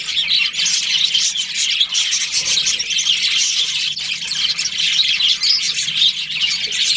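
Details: Many budgerigars of a breeding colony chattering during breeding season, high squeaky chirps and squeals overlapping in a constant, busy stream.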